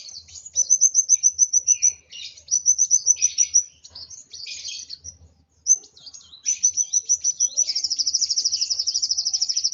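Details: Agitated Van Hasselt's sunbird singing high, thin rapid trills in bursts, each run of sharp repeated notes lasting one to two seconds, ending in a fast buzzy rattle; faint low hum beneath.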